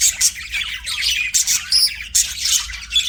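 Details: Budgie singing toward a mirror, a rapid chattering warble of harsh chirps and squawky notes broken by short clear whistles.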